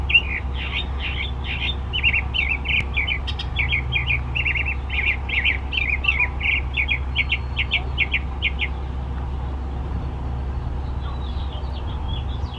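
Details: Morning mockingbird song with a long run of rapid repeated chirping notes for about eight seconds, changing note shape partway through, then fading to quiet, over constant low background rumble.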